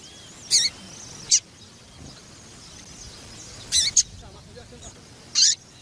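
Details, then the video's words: Female double-collared seedeater calling to stimulate the male to sing: loud, sharp, very high chirps, each a short burst, given singly or in quick pairs at irregular intervals, with faint, thin twittering of other birds in the background. "Fêmea de Papa capim piadeira para Esquentar Papa capim"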